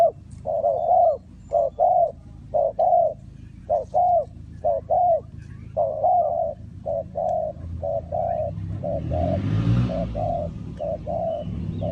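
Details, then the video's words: During bird trapping in Ninh Thuận, a spotted dove repeats short hollow coos about once a second. A rushing noise rises midway, with a low rumble underneath. "Cu gáy Ninh Thuận"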